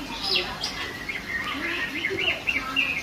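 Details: Female greater green leafbird singing in lively gacor style: a fast, busy run of short chirps and warbled notes, several sliding up or down, packed closely together over three seconds, above a faint low murmur.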